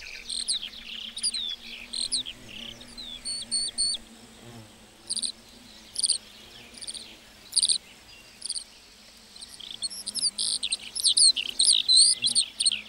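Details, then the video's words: Lark song in a meadow, coming in bursts: a dense run of high jumbled chirps, then scattered single notes, then another fast flurry of warbling toward the end, with faint background hiss. "Singing lark in the meadow"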